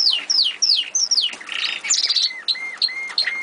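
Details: Eurasian siskins kept in an aviary; a run of thin, high, downslurred chirps, then a buzzy trill and several clear whistled notes, each dipping slightly, repeated about every third of a second.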